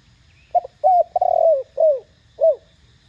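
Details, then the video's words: Spotted dove with a thổ đồng style voice, calling loudly to stir other doves to coo. A short note, a rising-falling hoot and a long vibrating coo lead into two separate falling notes. "Tiếng cu gáy THỔ ĐỒNG âm To Rõ kích bổi nhanh nổi.Cu gáy GÁY GỌI kích bổi gáy ngay."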